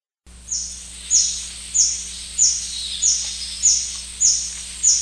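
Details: White-bearded hermit along the Shiripuno River gives eight high, thin, squeaky notes, each sharply dropping, repeated steadily about every 0.6 seconds over a faint constant low hum.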